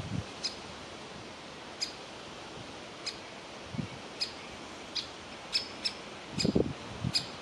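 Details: Young woodpecker in a nest hole asking to be fed, reluctant to leave; sparse, high, clipped calls spaced about a second apart, with a few low knocks or rustles.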